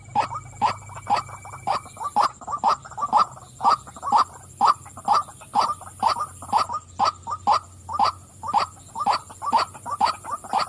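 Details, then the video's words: White-breasted waterhen, a female, giving loud repeated croaking 'wak' notes about twice per second in a steady, regular rhythm, with a constant high-pitched whine and faint low hum behind. "burung wak wak betina suka memanggil.."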